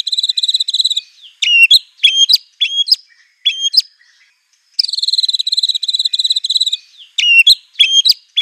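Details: White-rumped shama of the Aceh type singing a master song for training birds: a rapid run of high, thin twittering notes, then sharp upswept whistled notes spaced about half a second apart. The twitter and whistle sequence then repeats.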